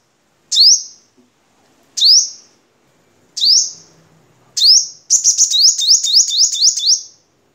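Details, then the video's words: Crimson sunbird of Vietnam as a tutor recording for cage birds: four evenly spaced shrill downslurred chips, then a fast chattering burst of about eight chips in quick succession. "Suara Kolibri Sogok Ontong Vietnam Untuk Masteran"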